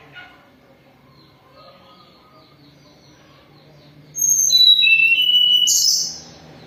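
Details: Hill blue flycatcher, moulting but still in full song, gives a loud phrase of pure whistles: a high thin note, a downward swoop, then level tones ending in a rich burst, after a quiet start.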